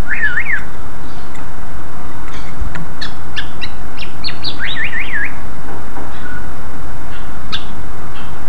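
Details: Greater green leafbird lure song, loud and lively, used to provoke other leafbirds to answer: rapid zigzag warbled notes open, followed by scattered sharp chirps and a run of rising-falling whistled notes, with constant background hiss.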